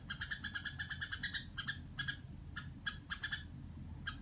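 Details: Domestic red-whiskered bulbul voicing harsh "rò" notes: a fast stuttering series of buzzy calls that thins into scattered single notes toward the end, low hum beneath.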